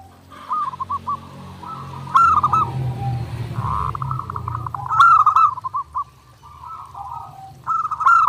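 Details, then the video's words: Zebra dove singing actively, recorded as a training master: warbled cooing phrases with stuttering pulses recurring every few seconds over a low background rumble. "SUARA PERKUTUT GACOR NONSTOP | MASTERAN PERKUTUT JERNIH UNTUK LATIHAN HARIAN"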